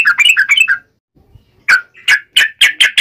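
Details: A yellow-vented bulbul's wild fighting song in uplik ropel style, to make other bulbuls reply: a quick cluster of bubbly notes, a gap, then several louder, harsher chirps in a row.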